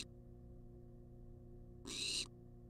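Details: Wild barn owl begging for food on a nest-box camera: a single harsh, breathy screech lasting about half a second after a pause, with faint electrical hum throughout.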